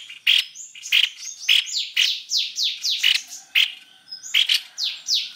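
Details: White-necked babbler, played as a lure: sharp chirps alternate with quick falling whistled notes, delivered in bursts about every half second with several birds seemingly overlapping.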